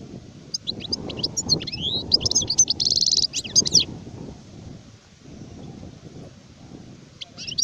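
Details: Adult goldfinch song from 2019, a tumbling burst of sharp chirps, slides and a rasping buzz lasting about three seconds, then only low background noise before a brief final twitter.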